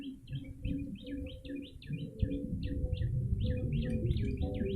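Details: Calls of a yellow-bellied prinia for luring birds, a fast run of sharp, bent chirps in irregular bursts, with low droning tones and rumble underneath.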